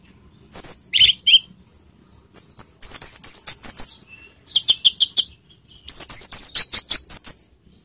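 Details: Teler-style singing by an orange-headed thrush, played as a lure to raise emotion and breeding urge: rapid strings of high, clipped whistled notes and chattering trills in several bursts with brief pauses.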